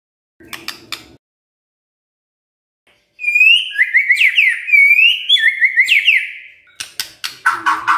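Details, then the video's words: Kretekan-style white-rumped shama song meant to stir up emotion: after clicks and a pause, a run of sweeping whistled slurs about three per second, ending in sharp clicks. "KRETEKAN MURAI BATU pendongkrak EMOSI"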